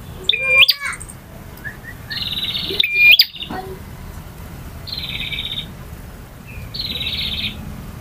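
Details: A male prenjak, or bar-winged prinia, in a long varied song: a sharp rising whistled note, then several buzzy trilled bursts spaced a couple of seconds apart over a quiet background.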